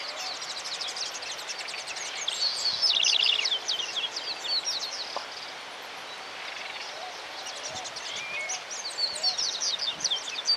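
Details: A Double-collared seedeater, apparently a juvenile male, in central Argentina, where it breeds in summer, sings a fast, high, twittering warble of slurred notes and short trills, with faint background chatter and rustling.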